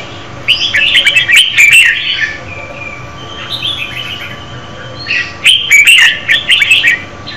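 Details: Female red-whiskered bulbul singing to stimulate a male: two bursts of bright, bubbly chirping phrases, each about two seconds long, separated by a short pause, with a few sharp clicks.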